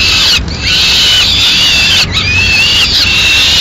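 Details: Peregrine falcon family in Madrid at breakfast time. The male has brought a swift and tears it up for the chicks. Continuous grating wails sound with slight downward sweeps and two short gaps.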